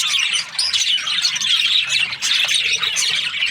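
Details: Happy budgie chirping in a dense, continuous stream of squawky, scratchy chatter, with fast twittering notes blending together over about three seconds.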